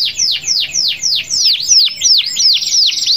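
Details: Canary's long roll aimed at rivals: overlapping high notes swooping down then curving up, repeated steadily several times per second and merging into a fine buzzing trill near the end.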